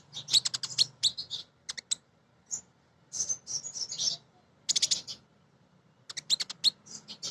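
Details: Female Van Hasselt's sunbird, the kolibri ninja, a lively singer used to prompt other birds into song. Dense clusters of piercing high chirps and twittering trills alternate with brief silences.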